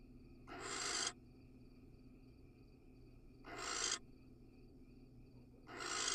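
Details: Barn owl calling from a nest box in Israel as a male casts a pellet; three loud, raspy hisses, each swelling and then cutting off sharply, spaced about three seconds apart over a soft hum.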